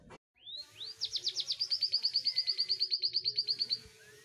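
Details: An Indonesian canary finch opens with two rising whistled sweeps, then rattles off a fast, steady trill of roughly twenty-five sharp high notes, ending with a soft lower upslur.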